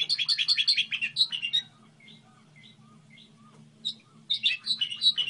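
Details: Goldfinch hybrid singing a model song: fast run of bright twittering, buzzy notes for about a second and a half, a near-silent pause, then another quick burst of high chirps, over a faint low hum.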